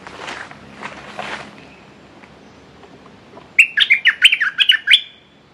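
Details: Red-whiskered bulbul used as a decoy to lure a territorial wild bird that has already beaten several decoys; after a quiet stretch of faint background noise, one loud burst of rapid, sharp whistled notes with upward and downward inflections ends the clip.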